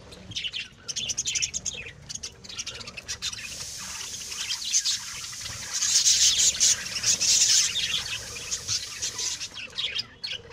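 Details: Several pet lovebirds bred at home keep up a busy, continuous chatter of shrill high chirps and buzzy twitters, swelling to a loud, dense stretch midway before easing off.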